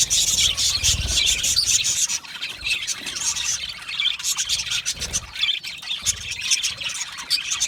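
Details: Budgerigars chattering together in a colony while happy and comfortable: rapid, busy high chirps and squeaky warbles from several birds, rising and falling in intensity, with a few dull low knocks.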